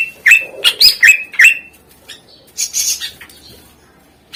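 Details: Greater green leafbird, known locally as cucak ijo, singing to stimulate lazy birds: quick series of sharp, ringing downslurred whistles in the first second and a half, then scratchy chatter, a lull and one final note.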